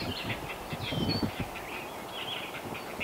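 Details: Great blue heron nestlings at the nest in north-central Massachusetts, USA, calling to parents that bring back fish: a rapid, rattling, clattering chatter of repeated harsh pulses, with thin high whistles of other birds above.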